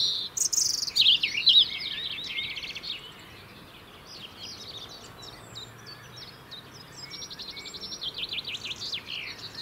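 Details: European robin in the UK singing to keep its winter territory: an intense burst of high squeaky warbling at the start, then softer sequences of repeated chirps and trills fading on and off.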